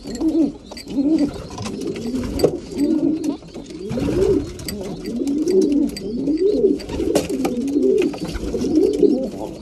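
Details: Steady series of arched, throaty coos from breeding pigeons at mealtime, several birds calling at once amid clicks and pecking.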